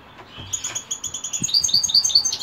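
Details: European goldfinch in the evening giving a short run of thin, high tinkling notes that quicken into sharper, louder chirps; a few soft knocks underneath.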